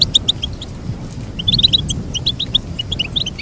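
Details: Short, bright goldfinch twitter. Crisp high chirps come in quick clusters with a brief gap near the middle, over a faint low rumble.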